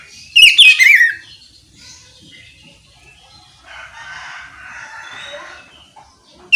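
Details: Short phrase of oriental magpie-robin song, ngeplong style, used to provoke other magpie-robins to sing: a single sharp, wavering whistled burst under a second long, followed by a soft, hissy background.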